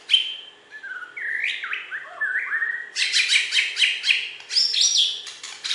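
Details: A prize-winning Bornean White-rumped shama from West Kalimantan sings slurred whistled notes stepping up in pitch, then switches to fast, repeated high chattering notes and bright squeaky trills.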